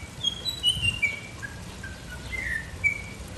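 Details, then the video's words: A singing, whistling mockingbird gives scattered high, sharp whistled notes and short slurred phrases, separated by brief pauses. Faint low noise lies beneath. "Sinsonte Cantando melodias y chiflando"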